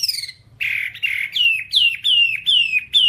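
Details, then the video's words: Whambie song, a long nonstop recording used to train caged birds, heard as a series of loud whistled notes sliding downward. About six notes in three seconds after an opening buzzy phrase, over a faint low hum. "Masteran Whambie nonstop 1 jam"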